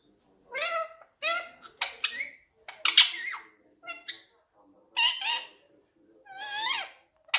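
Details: Talking pet ring-necked parakeet producing a string of separate harmonic, voice-like syllables. Some rise and some fall, with short pauses between phrases. The room is otherwise quiet.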